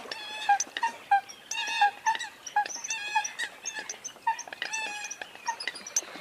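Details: Eurasian coot calls: clustered bursts of rich, reedy, honking notes in quick runs of two to four, with steady, buzzy-toned yelps between them and a busy chorus of overlapping birds.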